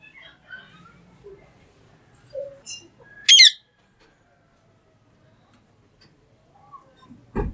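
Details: Green parrot giving one loud harsh squawk, a brief burst of stacked high tones, amid scattered soft chirps and faint murmuring, then a sharp knock near the end.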